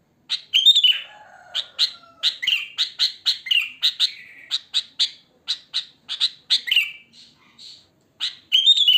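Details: Natural wild sooty-headed bulbul song, no filler, used as a lure for bulbuls: a rapid run of sharp chirping notes with a few longer slurred whistles, nearly continuous chatter before a short pause and renewed bursts.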